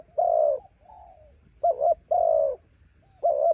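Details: Spotted dove decoy luring wild birds on a windy day. A long, rich coo is followed by a faint soft note, then a doubled hoot, another long coo, and a final doubled hoot, all mellow and low-pitched.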